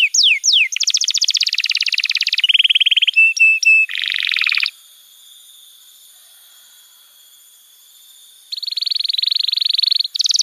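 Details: Canary master song meant for young birds: quick falling whistles, then loud buzzy rolled trills at changing pitches, a short pause of near silence, then another buzzing roll and a final swoop.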